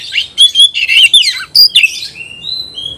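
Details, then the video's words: Oriental magpie-robin singing hard against a rival bird: dense chattering run of whistled and scratchy notes, then a break and two long clear rising whistles. "kacer gacor ngobra KONSLET nembak lawan tarung"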